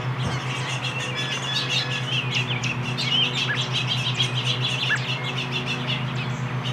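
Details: A robin feeds its fledgling chick, which gives a steady stream of rapid, high, thin chirps over a constant low mechanical hum.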